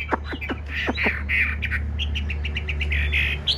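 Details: Caged Chinese hwamei singing indoors in a dark room, answering a phone playing birdsong. Sharp downward sweeps give way to buzzy notes and a fast chattering run, over a steady low electrical hum.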